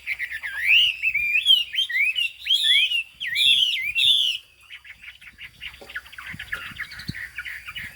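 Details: Fig-leaf-tailed, turmeric-billed Chinese hwamei singing cao cầu: a strong series of swooping whistled notes over four seconds, fading into softer, fast twittering.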